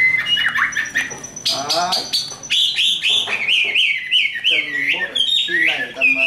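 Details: Tame Chinese hwamei giving a fighting song of rapid chattering bursts and harsh buzzy notes, then a sequence of loud wavering whistles repeated in quick succession.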